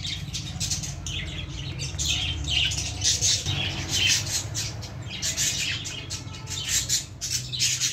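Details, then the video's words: Several baby lovebirds sitting in a plant squawk and chirp steadily in shrill bursts over a low background rumble, with possible wing flutters. "baby love birds in plant l cute birds in plant l love birds sounds"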